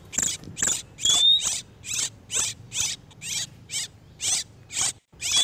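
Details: Oriental magpie-robins in breeding condition, male and female, heard as a trapping lure: evenly spaced short harsh chirps, with a thin rising whistle slipped in twice.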